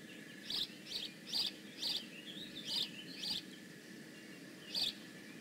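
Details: Bald eagle calling at the Decorah North nest on 15 May 2017, giving a loose series of sharp, high chirps with uneven gaps, then a pause and one final chirp, against a faint constant hum.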